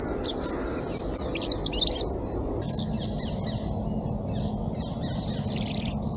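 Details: European robin singing on a cold, frosty morning in Crane Park by the Shot Tower, recorded on an Insta360 X3: high, thin warbling phrases with quick twisting whistles, broken by short pauses over a steady low background rumble.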